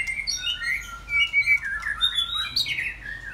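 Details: Afternoon song of a white-rumped shama, recorded on a Saturday: smooth clear whistles sliding down and then up, flowing into a rising bright phrase that ends in a falling slur.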